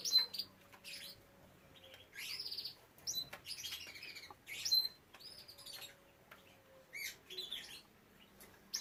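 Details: Canaries kept for breeding, with young birds present: high, sharp chirps and short twittering bursts come in irregular clusters, several quick notes at a time, separated by brief pauses, with a faint steady hum beneath.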